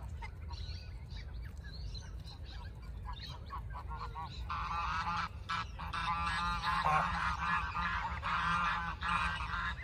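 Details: Geese calling: scattered faint honks at first, then from midway a dense, continuous chorus of nasal, harmonic honks from several birds overlapping, louder toward the end, over steady low rumbling background noise.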